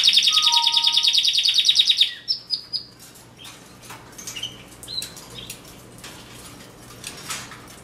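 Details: Canary song opening with a loud high buzzing trill and two lower whistles, fading after two seconds into scattered soft chirps and room noise.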